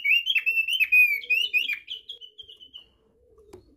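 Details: Thick-billed white-eye from East Nusa Tenggara singing its basic song (kicau dasar): a fast, chattering string of bright whistles lasting about three seconds that fades into softer notes, followed by near silence and a faint click.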